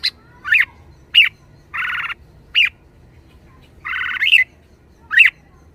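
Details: Caged red-whiskered bulbul showing liveliness, giving short sharp rising chirps spaced about half a second to a second apart, mixed with two longer harsh buzzy squawks.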